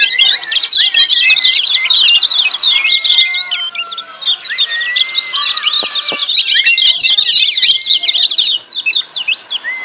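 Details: Lemon-bellied white-eye giving busy, noisy 'ciak' calls in a training recording meant to coax silent birds into singing: a dense stream of rapid high chirps over long, level, lower whistles, with a brief quieter stretch midway.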